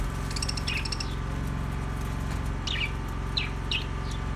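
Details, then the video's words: Budgerigar giving a few short chirps and downward-sweeping tweets, sharp and high, against a loud steady low hum that runs throughout. "Ultra Budgies Bird Sounds Bea parrot relaxing Sounds"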